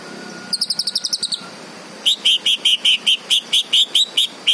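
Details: Green leafbird song: a brief fast trill of about ten high notes, then a series of about twelve louder, lower, steadily paced chirps, each roughly a quarter second apart.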